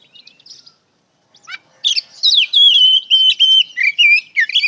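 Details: White-rumped shama song used as a lure to make other shamas answer, a rich varied stream of loud whistled phrases, buzzy notes and rapid chatter after a soft opening, high and sustained.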